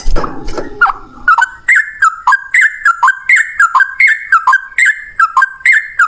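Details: Yellow-vented bulbul male giving its long 'ropel panjang' fighting song, meant as a lure to make other bulbuls sing: after a rough low burst, a steady string of clear, rich whistled notes, each dipping then rising, about three per second.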